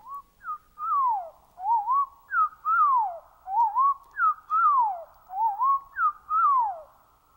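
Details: Common yellowthroat (Geothlypis trichas) song slowed to quarter speed to reveal detail: deep, slurred whistles falling and rising in a phrase repeated three times, each about two seconds long.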